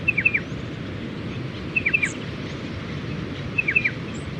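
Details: Striated Pardalote calling from a tree in beach dunes between Sandy Beach and Fiddaman's Beach, Mid-North Coast of New South Wales, near nesting burrows: short bright chip-chip-chip phrases repeated roughly every 1.8 seconds over loud surf noise.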